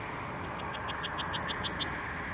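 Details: Yellowhammer, Emberiza citrinella, singing: a rapid series of about twelve similar high, slightly downslurred notes, evenly repeated and growing louder, ending in a long thin sustained high note.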